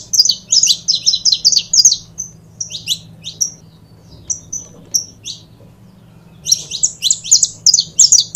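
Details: A saffron finch pair (canário da terra) sings fast runs of piercing chirps, slows to occasional whistled notes and a near-silent gap, then bursts back into dense rapid chirping; a faint low hum continues.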